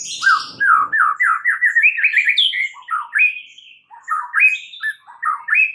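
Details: White-rumped shama in full vigorous song, recorded to train other shamas into answering: a varied, rapid run of rich whistled and rolling phrases climbing in pitch, with chattering notes and brief pauses.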